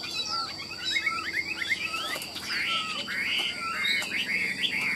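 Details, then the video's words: A Chinese hwamei kept in a cage, billed as singing like a machine with lilting ornaments. Rising and falling whistles run in quick variable phrases, with a faint constant high tone behind. "Họa mi đẹp hót hay, Cao cầu đuôi lá vả, Gật gù luyến láy hót như máy"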